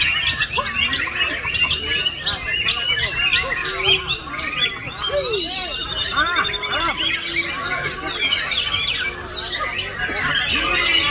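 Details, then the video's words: Male white-rumped shama pouring out a long lorikeet mimicry fill, gurgling squawks, quick looping whistles and high twitters repeated without a break, amid other birds and faint voices. "Menembak isian Perkici"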